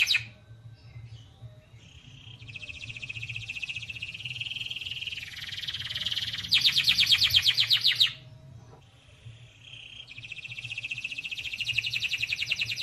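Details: Canary kept as an ornamental cage bird sings long, high, rolling trills. A louder, fast pulsed rattle runs from about six to eight seconds, then a short pause before fresh trilling resumes. A faint low hum sits in the background.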